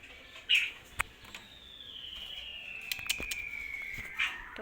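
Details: One of two hill mynas, which its keeper says is reluctant to talk, gives a long, thin whistle sliding slowly downward over several seconds, with a few sharp clicks and a brief chirp around it.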